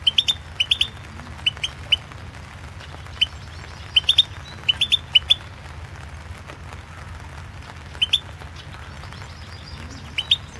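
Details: European goldfinch recorded for the 2016 World Championship in Goldfinch Song, an internet competition; short, high, sharp chirps come in scattered clusters of two or three, with quiet gaps between, over a steady low hum.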